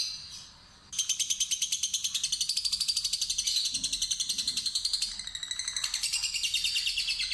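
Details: Lovebird of the fighter type, used as a lure to draw out a long ngekek trill: after a second of quiet, a shrill, very rapid pulsed chatter runs unbroken for over six seconds, wavering slightly in pitch, indoors.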